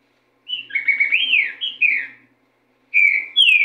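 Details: Green-winged saltator song: a run of clear, slurred whistles rising and falling for almost two seconds, then after a short pause two further loud whistled notes.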